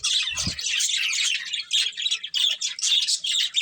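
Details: Steady dense warbling from a budgie breeding pair, harsh and buzzy, with a short low thump near the start and choppy bursts later.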